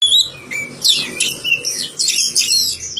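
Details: Magpie-robin, kept in care in a village, singing a varied series of loud, high whistled and sweeping phrases with short pauses between them, indoors.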